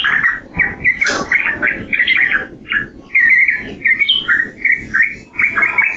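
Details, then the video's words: Yellow-vented bulbul singing clipped, bubbly phrases with small gaps between them, one brief higher burst near the one-second mark. "Suara Burung Trucukan"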